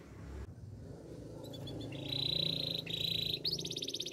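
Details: Russian canary training song heard behind loud low rumbling noise: a steady high trill emerges after the first seconds, broken by a brief gap, then a faster bright rattle at the end.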